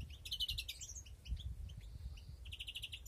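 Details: In a breeding aviary in 2021, European greenfinches give bursts of fast, high twittering trills with a few isolated chirps. A faint drawn-out buzz sits between the louder trill phrases, and low rumble runs underneath.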